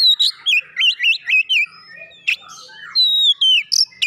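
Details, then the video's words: Oriental magpie-robin singing after stimulation, with a rapid series of looping whistled notes, then a pause and long drawn-out descending whistles mixed with sharp high clicks. "merangsang Kacer malas bunyi langsung gacor"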